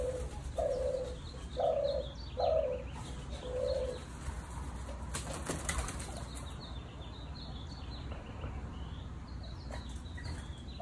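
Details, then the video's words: Captive European turtle doves courting and flying around their enclosure. Four short, rolling, purring coos sound in the first four seconds, followed by a burst of loud wing flapping and then steady low background hum and rustling. "European Turtle Doves cooing and Courting"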